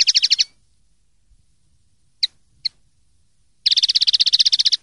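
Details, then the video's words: Clean-style common linnet song from Spanish silvestrismo birdkeeping: a brief burst of rapid high chirps, two isolated sharp notes, then a long, fast, ringing trill of rhythmic repeated notes. "CD PARDILLO LIMPIO 2023/2024"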